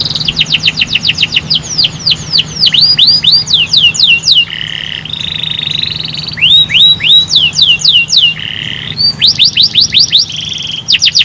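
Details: Canary singing, used to prompt other birds into song: loud series of fast repeated downslurred whistles broken by buzzy rolled trills, phrase after phrase, over a faint low hum.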